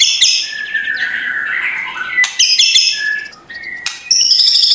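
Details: White-rumped shama in busy morning song with coarse kretekan notes, aimed at provoking a lazy shama to sing; a long wavering whistle, then harsh bursts and a high clear whistle at the end.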